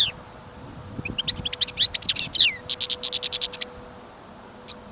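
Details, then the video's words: European goldfinch in a cage, out on a snowy, windy trapping trip, gives a rising series of scattered twitters leading into a fast, evenly repeated string of bright chips, then one last note. "Пение щегла - Голоса птиц. Щегол на прослушивании запел."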